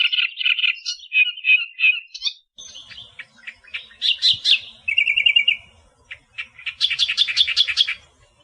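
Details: An Australian reed warbler delivers varied song, with buzzy slurred notes first, then sharp chips, a quick rattled trill, and a final run of fast, high, stuttering repeated notes.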